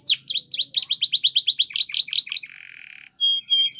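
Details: Spanish Timbrado canary in training song, a rapid series of loud V-shaped whistled notes, then a brief low buzzy rattle and a few clear high piping tones at the end.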